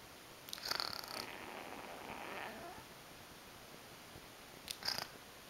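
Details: African grey parrot kept indoors as a pet, snoring: a quiet, raspy, breathy rasp that drags on for about two seconds, followed later by a short hissing burst, in a still room.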